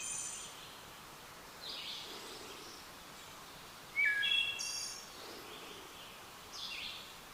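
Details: Wood Thrush heard along the Appalachian Trail in 2022, singing a few spaced phrases: a clear fluty note, then a high, shimmering trill, repeated every couple of seconds over a soft outdoor hiss.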